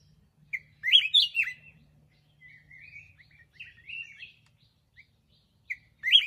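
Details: Black-crested bulbul singing loud, slurred whistled notes in a quick cluster, then softer trailing chirps and short isolated notes, ending with another bright phrase against a quiet background.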